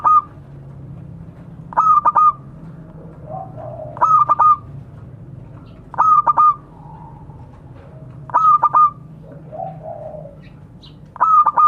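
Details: Zebra dove of a local strain calling out to others, a recording meant as a lure. Six regular phrases of quick stuttered coos with a ringing note come about every two seconds, with quiet distant coos between them.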